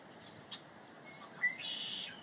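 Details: On a windy early-spring day, a Red-winged Blackbird gives a faint, brief clipped note followed by a half-second buzzy, rasping trill, over a soft hiss of outdoor wind.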